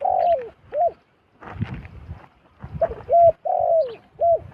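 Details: Zebra dove voice during the arrival of a wild zebra dove at a decoy: a drawn-out coo sliding downward, then short hooked notes, with rustling and knocking noises between phrases.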